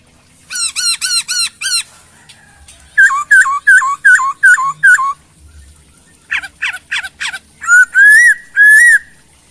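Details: Chinese hwamei song in varied phrases: a quick series of five sharp up-down notes, a pause, five lower slurred whistles, then scattered strident notes and two drawn-out rising whistles, with short silences between.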